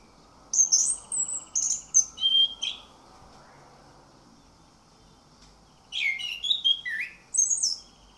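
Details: Orange-headed thrush song used as a lure to prompt other birds to sing: two bursts of loud, high whistled and slurred notes separated by a quiet gap of about three seconds.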